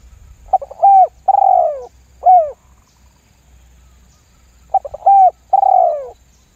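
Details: Spotted dove, lambung guk lure call for prompting other doves to call. Clean phrase of stuttered opening notes, a flat coo, a long falling coo and a brief downturned note, repeated after about two seconds of quiet.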